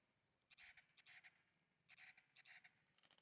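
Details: A purplish jay (Cyanocorax cyanomelas) in Chaco National Park in June 2016 gives five harsh, raspy, scolding notes, about half a second apart in two loose pairs and a final note, over a faint background hiss.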